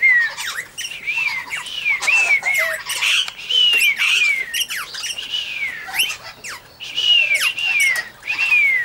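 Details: Major Mitchell's cockatoo at Junee Tourist Park, Australia, 5 June 2015, dancing alongside an eastern rosella; a continuous series of loud, wavering, falling screeches, one after another with hardly a pause.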